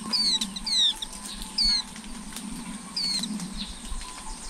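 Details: Flowerpecker nest watched by a camera over eleven days as the chicks grow: thin, high whistled notes sliding downward, four short clear phrases in about four seconds, with a low steady hum underneath.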